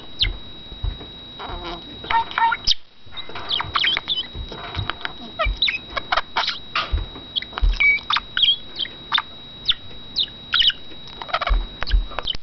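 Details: Male pet budgerigar, a talker and whistler that imitates outdoor wild birds, keeps up long scratchy chatter of quick clicks, chirps and short whistles, broken by one brief silence, with low knocks throughout.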